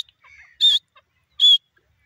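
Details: Grey francolin, locally called desi teetar, giving two loud, short, high ringing notes about 0.8 seconds apart, preceded by a faint softer chirp, in otherwise quiet surroundings.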